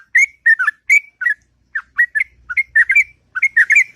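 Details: Sooty-headed bulbul singing a long, melodious ngropel song in the morning: short bubbly whistled phrases around mid pitch, delivered in irregular bursts with brief pauses between them.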